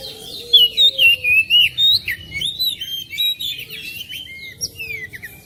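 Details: Oriental magpie-robin singing, played so that a silent magpie-robin at home will start singing too. Loud, rhythmic whistled notes come in quick succession, then a softer string of varied, slurred phrases.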